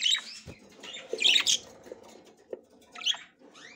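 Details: Female budgerigar checking the nest for the first time, trying to go inside; scratchy high chirps and squawks in short bursts with brief gaps, plus faint low knocks in the background.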